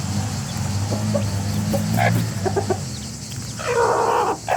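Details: Chickens of a rooster family calling as a group: a burst of short, rapid clucks followed by a louder, drawn-out harsh squawk near the end, over a low droning hum.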